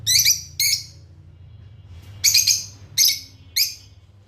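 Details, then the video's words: Chirping of pet lovebirds, red-headed, lutino and opaline: five short, piercing, buzzy chirps, two close together, a pause, then three more spaced about half a second apart, over a steady low hum. "Lovebirds singing & chirping sound"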